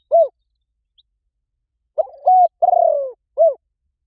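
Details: Spotted dove giving 'gáy gọi rút bổi' calling coos, meant to make other doves answer at once. A lone short arched coo comes first, then after a pause a full low phrase: a clipped note, a level coo, a throbbing downslurred coo and a final short hoot.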